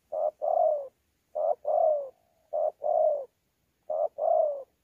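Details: In Sa Thầy, Vietnam, on 26 November 2019, a wild-caught spotted dove coos in 'đấu' style with 'gù': four low two-part phrases, a brief note then a drawn-out falling coo, with a soft hum between.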